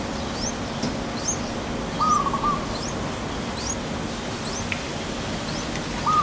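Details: Yellow-vented bulbul nestlings, 4 or 10 days old, in a nest in Thailand while being raised by their parents, give thin, high rising begging chirps about twice a second; a lower, clear whistled note sounds twice over a steady background hum.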